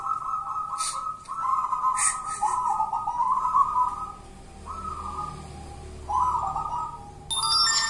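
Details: Zebra dove ('kuntilanak' type, local wild bird) sings repeated burry cooing phrases at a steady pitch, separated by short gaps, with a couple of clicks and a metallic ring near the end.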